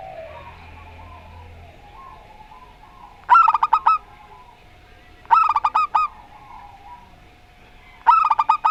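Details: Local zebra dove singing in rondo semoyo style, short bursts of quick bubbling cooing notes repeated about every two and a half seconds, with a faint steady hum between phrases.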